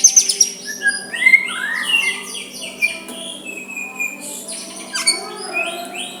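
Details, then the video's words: White-rumped shama singing softly to stir a rival into a reply, with clear whistled slurs, some rising and some falling, high chips and a brief harsh burst, spaced by gaps, over a faint low hum. "Murai batu suara lembut cocok untuk MEMEKAT lawan ikut emosi dan saling balas"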